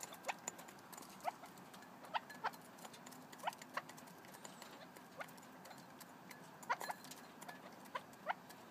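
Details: Red-legged partridge giving short, sharp, descending call notes in irregular series, roughly one or two per second, over steady background clicking and patter.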